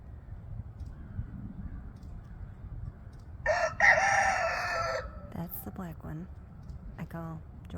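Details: A rooster gives a loud, harsh crow lasting about a second and a half in a crowing contest where roosters alternate, followed by clucks and a second rooster's rougher calls over a low background rumble.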